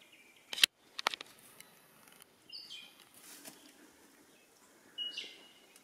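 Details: Lyrebird sighted at Duckhole Lake (dated 111020) sings in a loose, irregular string: sharp cracking notes, then short high whistles and chirps at varied pitches, against faint outdoor background noise.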